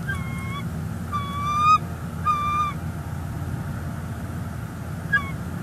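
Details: Bald eagles at a northeast Florida nest-cam nest on 18 December 2021, during nest building as the male brings in dried grasses; clear, slurred, slightly falling calls in a quick run of three, then one more later, over steady wind rumble.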